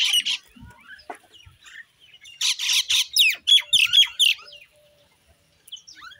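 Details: Common Indian myna giving a loud, harsh chattering run of squawks and grating notes, bursts packed close together, with a few softer clicks and chirps at the start and end.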